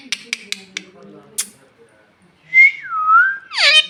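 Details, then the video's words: Bhojpuri talking parrot begging for roti: four quick clicks over faint low murmuring, then a long whistle gliding downward into a rough harmonic call. "रोटी देबे !! भुख लगल बा !! Bhojpuriya tota !! Bhojpuri talking parrot"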